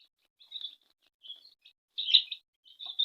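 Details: Baby chicks peeping at home as their mother hen feeds and tends them; high, thin cheeps in short bursts, a few clusters spaced through three seconds with brief silences between.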